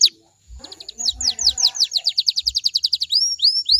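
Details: Canary song intended to trigger other canaries to respond: after a brief gap, clipped notes lead into a rapid series of descending sweeps that speed into a dense trill, ending with upward-curving whistles; soft low knocks beneath.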